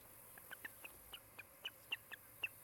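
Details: Osprey at a nest near Charlo, Montana, caught by a nest camera on the afternoon of July 16, 2018: a loose, uneven run of about ten short, sharp whistled chirps, some higher and some lower, over faint steady background hiss.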